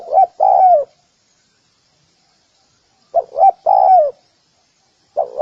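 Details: Cooing of a spotted dove calling to draw in other doves: a two-note stutter then a long descending coo, repeated after a three-second pause, a third phrase just starting at the end.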